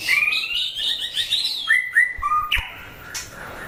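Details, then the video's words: Captive white-rumped shama singing in a fighting test: bright rising and falling whistles in quick succession, a few lower flute-like notes, then a sharp knock and fading room noise. "Chảo lửa test chim đấu (shama bird singing)"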